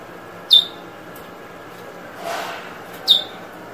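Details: Eurasian Bullfinch, 2022, 'drawl' and 'weet' calls: two short high falling notes about two and a half seconds apart, with a soft rustle between them.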